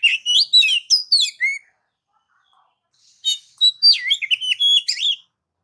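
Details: Oriental magpie-robin song for provoking caged magpie-robins: two rich bursts of fast varied whistles, trills and chips, high and busy, separated by a short silence.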